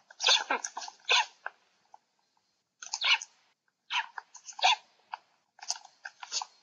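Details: Black storks (Ciconia nigra) fighting with their beaks, Łódź, Poland, 27 July 2020: bursts of dry, crunchy knocking and rasping scuffles, each under a second, in irregular clusters with short silent gaps.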